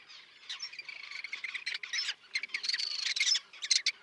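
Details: Common tern colony with chicks on a concrete block in the sea near Liepāja, Latvia, June 2024; dense, overlapping squealing and rasping calls run without pause.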